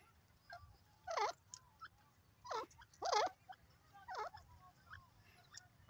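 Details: Grey francolin calling: loud, harsh, harmonic-rich bursts repeated at roughly one-second intervals, about four strong notes plus fainter ones, each with a rising-falling shape, over a low steady background hum.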